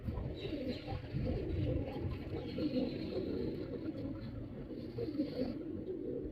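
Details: Performing male pigeon cooing in deep, soft, continuous rolling phrases, the low burbling sound steady throughout, set against a persistent dull background noise.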